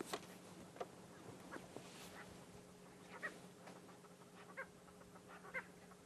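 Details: A purple roller on a sunrise safari drive, 14 July 2016, being harassed by a pair of lilac-breasted rollers, gives about five harsh, rasping, frog-like squawks one to two seconds apart over an idling vehicle engine.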